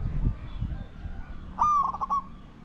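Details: Single short, stuttering coo of a spotted dove in a decoy session luring wild doves, preceded by low muffled knocking and rumble.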